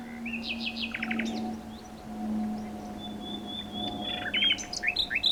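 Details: Nightingale song: a rising whistle into a fast series of throbbing pulses, later a long thin steady whistle and a burst of sharp varied chirps, with a constant low hum in the background.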